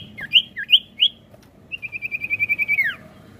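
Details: Sirtu, the ashy tailorbird, in an energetic rolling song used as a lure. Three loud whistled notes open the song, then comes a fast run of about ten rapid chirps that ends in a long downward slur.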